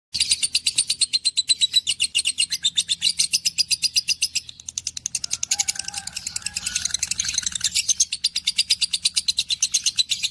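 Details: Pet blue budgerigars (Melopsittacus undulatus) chatter to each other in a fast stream of high, scratchy chirps and warbles.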